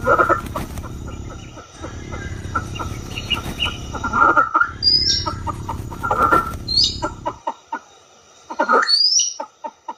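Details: A Southeast Asian pheasant gives harsh, rasping bursts every second or two, with thin high chirps of other birds and a low steady hum that stops near the end.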